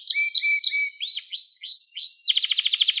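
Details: Canary singing for training young birds: short flat whistles, arched rising-falling slurs, then a fast bubbling trill of repeated notes.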